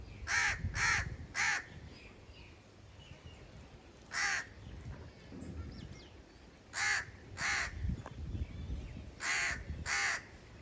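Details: Crow calling with about eight loud, raspy caws in irregular bursts: a run of three, a single, then two pairs, separated by pauses of a few seconds, with low background rumble.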